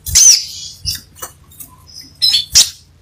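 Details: High-pitched crimson sunbird song, delivered energetically: a sharp shrill burst, soft scattered ticks, a brief thin whistle, then two loud squeaky chips in quick succession.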